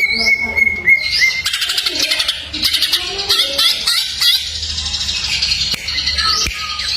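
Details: Greater green leafbird masteran song packed with fill-in phrases: a steady whistled note held near one pitch, then dense rapid buzzy trills, chattering bursts and sharp upslurred whistles tumbling together, with a faint constant hum beneath.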